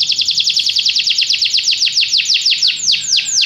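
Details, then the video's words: Canary delivering a long run of rapid downward-sweeping whistled notes, about eight per second at first, slowing slightly toward the end. "Canary bird | o canário canta muito bem"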